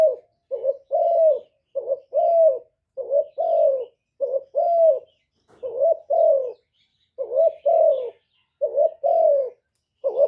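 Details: Steady run of spotted dove cooing, about ten phrases in ten seconds, each a short throaty note and a longer mellow croo curving downward, rhythmic and unbroken, with no other animals or noise.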